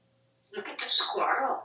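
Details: Talkative male African grey parrot kept as a pet in a Texas home, hatched in 1997, prompted by its owner during a live session; a short, rough, breathy burst of noisy vocal sound lasting about a second, indoors.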